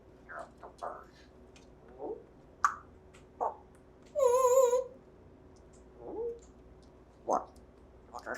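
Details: Pet talking African Grey parrot, raised in a home since December 2020, gives short speech-like voiced bursts with a clear warbling whistle in the middle, among a few quiet clicks in a small indoor room.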